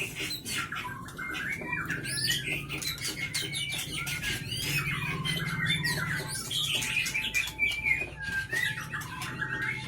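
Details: Caged Leuser White-rumped shama from the Pining area of Aceh, praised for sharp voice, long breath and copying nearby sounds; quieter, dense stream of twisting whistles and clicks over a low steady hum.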